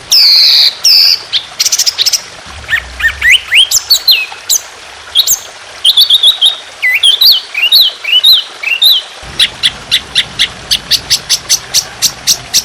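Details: Trotolan on a masteran training recording, sung in a harsh, long, continuous 'tembakan' style with trickling water. Varied whistled, rising and falling phrases give way to a fast string of repeated high, sharp notes.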